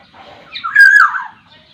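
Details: Black-naped oriole of the Sumbawa type, known for varied vocalising, utters a single strong, buzzy, downward-sliding nasal note lasting under a second, with faint softer sounds before and after.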